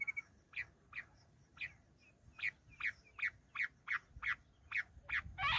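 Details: Bush quail giving a call used for hunting: a repeated clipped note, sharp and slightly downslurred, sounded about every half second, ending in a loud harsh burst.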